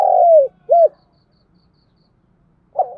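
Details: Low, mellow coos from a decoy spotted dove used to provoke wild doves: a long falling coo, then a short arched note, then silence before another coo begins.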